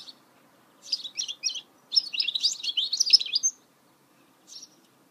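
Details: Goldfinch mule song from 2018: a brief twittering phrase, then a longer, fast, jumbled run of high chirps and trills, followed by silence and one short closing chirp.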